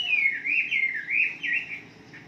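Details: Short burst of wambi song played in the morning to make caged birds sing: a chain of clear looping whistled phrases, each swooping up and down, fading away at the end.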